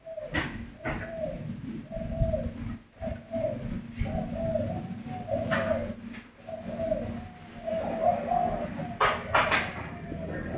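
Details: Spotted dove, a captive cooing bird at a bird farm; low soft coos repeated roughly every second in a steady series, with a man speaking and clicking noises nearby.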